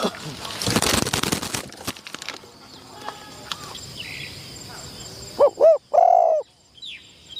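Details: Spotted dove used as a decoy, put into the trapping enclosure for its first training session; after voices and rustling, a single low, hollow coo phrase ends the recording: two short rising-falling notes and then a longer, held note.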